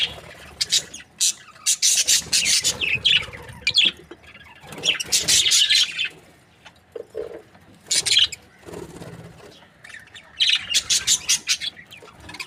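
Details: Australian budgerigars, a breeding pair, chirping in bursts of dense, scratchy warbling and squeaky notes lasting one to two seconds, separated by short quieter gaps.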